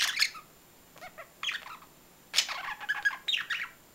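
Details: Budgerigars giving short bursts of warbling chatter and squeaky notes, broken by pauses, with a bright harsh burst near the middle and a faint steady high whine throughout.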